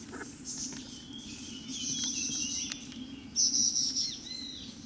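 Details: A Rufous-capped babbler foraging for worms in bush at Daxueshan National Park, Taichung, Taiwan, on 30 January 2016, gives thin, very high whistled notes in two brief bursts over a steady low hum and faint insect buzz.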